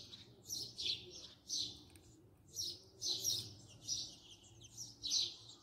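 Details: Close-range house sparrow chirping in rhythmic, bright notes with a short pause near the middle, over a quiet background.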